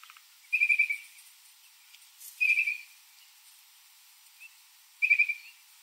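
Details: Baltimore Oriole visiting a backyard where grape jelly is put out; three short bursts of rapid chattering, whistled notes, each about half a second long and a couple of seconds apart.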